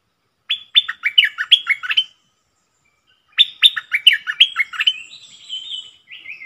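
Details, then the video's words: Decoy bulbul singing two bursts of rapid, loud, whistled phrases, each a quick string of sharp rising and falling notes, separated by a short silence, ending in a few longer slurred whistles. "เสียงนกดอกแตงEp.100 Bird sounds"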